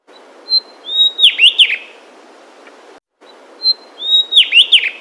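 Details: Javan tesia in mountain forest jungle of Central Java, Indonesia, gives a thin, high whistle followed by quick, bright down-slurred chirps.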